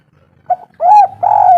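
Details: Spotted dove calling, used as a lure to prompt lazy doves to start singing: a short soft note, then two loud mellow arched coos, the second long and drawn out, over faint low hum.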